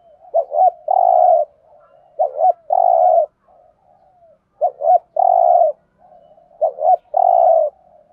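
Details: Spotted dove cooing in the Thổ 'thúc gù' style, a call used as a trapping lure: four regular phrases, each two brief rising notes leading into a full, steady low coo, with soft purrs between.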